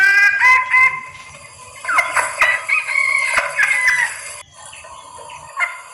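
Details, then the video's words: Female red junglefowl in heat calling males as a lure: clipped, harmonic clucks, then a dense chattering series of rasping notes, fading into quieter scattered calls. "SUARA PIKAT AYAM HUTAN BETINA birahi memanggil jantan"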